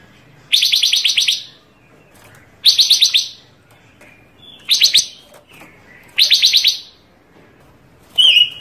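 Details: Panca Warna bird, in a song rich in varied phrases, used for master training and as a trapping lure: high, rapid stuttering trills of about half a second, repeated four times roughly every two seconds, ending on a short whistle.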